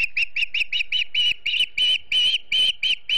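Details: Osprey family at a nest in Charlo, Montana, late in the day before sundown on 9 September 2016, from a live nest camera: a steady run of short, clear whistled chirps, about three each second, slightly lengthening toward the end.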